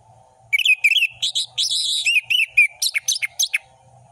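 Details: Varied song of an orange-headed thrush in ngeplong style. Rapid whistled notes are mixed with a buzzy double-pitched passage, then a quick series of sharp chirps and falling notes. A faint low hum continues throughout.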